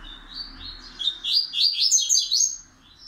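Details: Song of a double-collared seedeater in the pancadão style, gradually becoming fixed. Soft high notes build into a loud, rapid, rising tumble of sharp chirps lasting about one and a half seconds, then stop abruptly.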